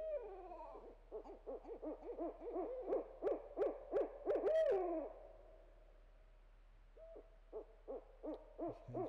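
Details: Barred owl delivering a fast, excited run of arched hoots that builds to a long descending wail, a few seconds of quiet, then another burst of rapid hoots.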